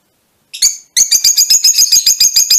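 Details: Colour-mutation Fischer's lovebirds giving one short high chirp, then a rapid run of harsh, buzzy chattering notes repeated about five times a second with no gaps.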